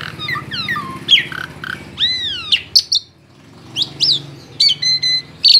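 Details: A tame Asian pied starling sings a varied jumble of whistles, arched slurred notes and sharp clicks, with short pauses between bursts, over a low hum underneath.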